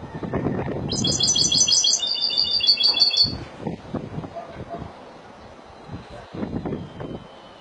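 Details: Malaga-style singing by a Spanish goldfinch, a roughly two-second bright pulsed trill ending on a drawn-out high note, with low knocks and rustling noise before and after.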